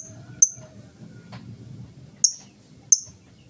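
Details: Ngetik-style lovebird ticking, free of ngekek chatter, played to prompt other lovebirds to sing; three bright, sharp high clicks, one early and two close together near the end, above a low murmuring background.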